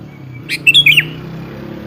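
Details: A single quick, bubbly phrase of a few slurred notes from a sooty-headed bulbul, played as a lure so another bird answers, with faint low rumble behind.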